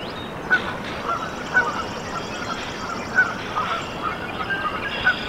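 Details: Newly hatched Canada goose goslings in the nest at Decorah, Iowa, USA, 14 April 2024, giving short clear piping peeps about every half second to second, with a high buzzy trill from another bird behind.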